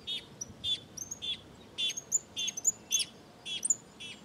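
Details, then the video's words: Cattle tyrant from a small flock in the sertão of Bahia, Brazil: rapid series of short, sharp high chirps with buzzy harmonic notes, about two per second, over faint background noise. "Suiriri Cavaleiro Cantando"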